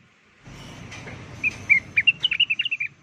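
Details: Lure recording of a blue-winged leafbird, known as rengganis, singing energetically: a fast phrase of about a dozen bright, slurred whistles building in pace, over low steady noise.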